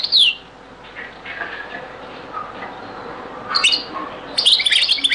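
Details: A European goldfinch gives the Beni Messous 'les avocats' (zaboka) song in a very old recording: a sliding high note, a pause with faint soft notes, then bright tinkling twitters and a fuller trilled phrase at the end.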